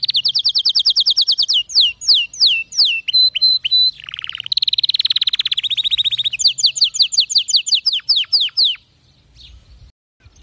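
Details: Canary singing, used to coax weak or silent canaries into song; long run of rapid rattling trills and repeated downslurred whistles, with a steady high rolling phrase midway before the song fades to quiet.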